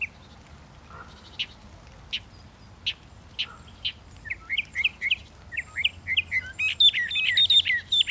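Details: A Northern mockingbird sings sharp single notes at about one-second intervals, then a string of quick zigzag whistles that builds into a dense, loud tangle of varied notes.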